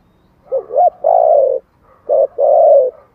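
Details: Lure song of a spotted dove in the thổ voice style for stirring wild doves: two quick wavering notes and a sustained mellow coo, then a short coo and another long, gently falling one.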